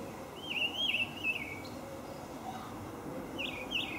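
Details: Olive thrush calling with a clear, wavering whistled phrase of linked notes, then a shorter twinned whistle near the end, over faint steady background noise.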